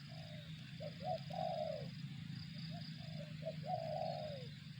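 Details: Spotted dove calling: soft brief notes building to a long, full coo that slides downward, then the phrase again, with a persistent low drone beneath.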